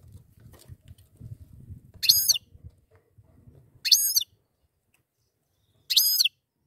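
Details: A pair of goldfinches: three loud, bright, harmonic calls that sweep downward, each about a third of a second long and spaced roughly two seconds apart, over a faint low rumble early on.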